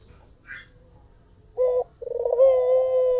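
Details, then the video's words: Caged white dove in full song: after a near-silent start, a short hoarse coo, then a longer steady low coo that swells with a rough, throbbing onset. "SUARA PUTER PUTIH FULL GACOR || PANCINGAN AMPUH || SUARA BURUNG PUTER GACOR"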